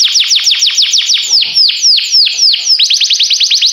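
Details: Canary singing strings of steep downward-slurred whistles, first fast, then slower and spaced, then fast again.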